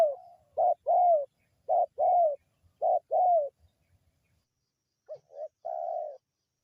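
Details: Local Indonesian spotted dove (tekukur) call used as a lure to attract wild birds: soft, hollow coos in paired phrases roughly every second, ending with a longer drawn-out coo, clean with no background sound.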